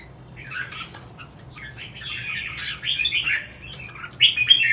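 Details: Red-whiskered bulbul kept for competition singing, known as chào mào hót đấu: quiet start, then warbled, buzzy phrases sliding between mid and high pitch, growing louder toward the end, with a brief sharp high note near the close.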